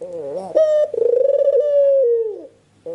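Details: Spotted dove cooing indoors, used to lure birds: a brief bent note, a sharp higher coo, then a long pulsing, quavering tone that eases down and fades, with a new coo starting at the end.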